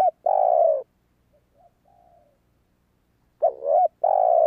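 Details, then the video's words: Lure call of a spotted dove: a loud drawn-out croon, quiet distant coos in the gap, then another full call with a hooked first note and a long steady second note. "Tiếng chim cu gáy kích bổi hiệu quả"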